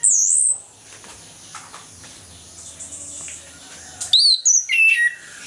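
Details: Morning ngeplong-style song of an orange-headed thrush, meant to lure reluctant thrushes to sing: a shrill high note opens, a long quiet stretch of faint hiss follows, then a burst of rapid descending whistles.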